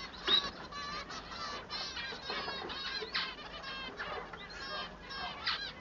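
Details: Singing male manon gives a run of raspy, stacked, squealing notes in short bursts, with a sharp upslurred whistle near the start and further bursts about every half second amid background calling of similar birds.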